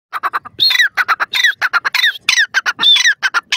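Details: Francolin calling loudly and harshly: a rapid run of short clipped notes, about four per second, broken by longer rising and falling squawks, repeated without pause through the clip, with little background noise.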